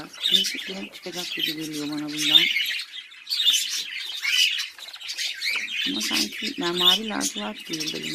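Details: Hobby-bred budgerigars kept indoors chatter constantly in a high, buzzy, twittering warble, with sharp chirps every second or so. A woman talks over them at the start and again near the end.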